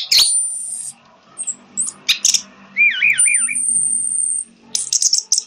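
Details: Lure recording of an orange-headed thrush, meant to get a quiet bird singing: sparse high notes, a long thin sustained whistle, and a wavering warbled phrase rising and falling, with gaps between sounds.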